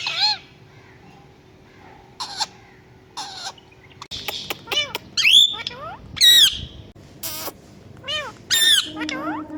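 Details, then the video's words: Talking parrot copying a cat's meow: quiet opening notes, then loud arched and wavering whistled calls mixed with harsh broadband squawks, coming irregularly about once a second. "Talking Parrot sound | Parrot Talking Mithoo put Meow meow | Bolne Wala tota parrot"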